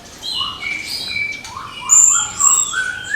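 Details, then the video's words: Orange-headed thrush singing in the morning, a song meant to spur young thrushes to sing: a string of short clear whistles, some rising and some falling, with thin high tones above and no other noise. "ANIS KEMBANG GEMERCIK SUARA DIPAGI HARI, MENAMBAH SEMANGAT ANIS MUDA BUKA PARUH"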